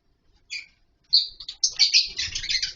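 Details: Lovebirds in a colony setup, nesting in wooden boxes and mud bowls, heard while playing: a lone chirp, then a sharp whistle-like note building into continuous harsh, shrill chattering with soft low rustling beneath.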